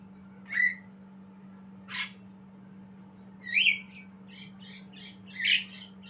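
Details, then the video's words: Young Javan myna learning to sing: sparse, short scratchy notes and a squeaky whistled note, spaced a second or more apart, ending in a rapid series of chattering clicks over a steady low electrical hum. "Jalak kebo Belajar Bunyi"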